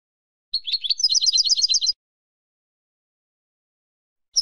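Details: Spanish European goldfinch song: a quick high twittering phrase of about one and a half seconds, rapid liquid chirps and paired notes, then silence and a single short chirp at the end.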